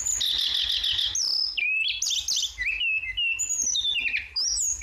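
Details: Vigorous flowerpecker (tledekan) singing for songbird training. A buzzy high trill leads into a chain of quick falling whistles, sliding notes and thin chirps, delivered almost without pause.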